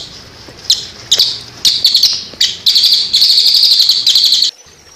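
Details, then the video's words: Cililin giving its 'tembakan' rapid-fire song, used as tutoring audio for songbirds and paired with water sounds: high, fast buzzy trills in short bursts and one longer run, separated by brief pauses. "Tembakan Cililin Untuk Masteran Burung Kicau"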